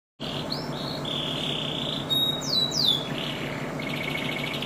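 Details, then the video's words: Champion canary singing: clear sustained whistled notes and short upward and downward slides, ending in a fast buzzy trill, over a steady low hum. "burung kenari bernyanyi"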